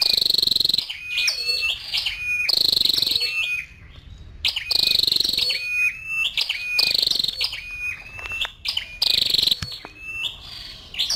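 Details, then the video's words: Calls of a female scarlet-backed flowerpecker, with sharp, high-pitched rattling bursts, each briefly sustained, alternating with faint, stepped lower whistles in a steady back-and-forth pattern. "Tiếng chim sâu đầu đỏ mái"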